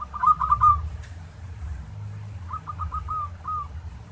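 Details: Local zebra dove song for training caged doves: a short bright trilled phrase, a pause with a faint low hum, then a softer run of rolling coos.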